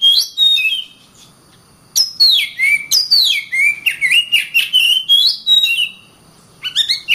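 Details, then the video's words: Kacer, the oriental magpie-robin, singing a fast run of sweeping whistles and sharp notes following a brief opening phrase, ending after a pause with a rising note. "Kacer Bird Singing"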